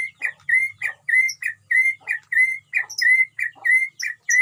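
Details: White-rumped shama in a colony cage at a breeding setup, singing steadily: bright, clear whistled notes repeated rapidly at an even pitch, with occasional higher accents.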